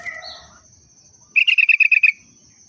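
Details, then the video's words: Sooty-headed bulbul singing in the style of a Yellow-vented bulbul: after faint soft whistles, a quick even burst of eight sharp repeated chattering notes lasting under a second, with a steady high background tone throughout. "Burung Kutilang √ tapi hariannya Trucuk"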